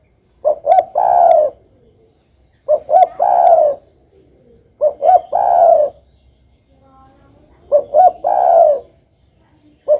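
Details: Spotted dove cooing steadily, the phrase repeated about every two and a half seconds: two or three quick clipped notes leading into a longer, soft, slightly rising-then-falling coo, low and mellow, with a quiet background.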